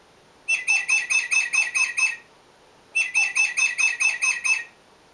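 Tufted Titmouse singing two quick bursts of clear, whistled 'peter-peter-peter' notes, about eight per phrase, with a short pause between; nothing else is heard.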